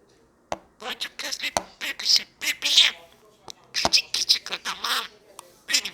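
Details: A blue budgerigar chatters in a rapid, scratchy warble of high chirps, clicks and speech-like bursts.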